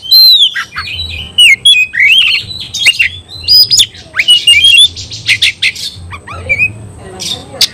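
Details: Fighting song from an oriental magpie-robin, intended to provoke other magpie-robins: a long, varied sequence of looping whistled phrases, abrupt harsh notes and scratchy chatter, loud throughout with brief pauses.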